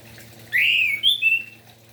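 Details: Morning song of an orange-headed thrush, played to rouse other thrushes to sing: a strong upslurred whistle sliding into two brief bright warbled notes, clear against a low steady hum.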